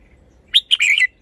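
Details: One short song phrase from a red-whiskered bulbul, showing off its song style: a sharp whistle, then a second note and a rolling, warbled trill that falls at the end.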